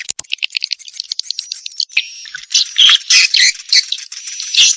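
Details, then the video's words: Swiftlet calls played to lure swiftlets into a swiftlet house: rapid high chirps and twitters, rattling at first, then louder buzzy bursts in the second half. "suara panggil burung walet"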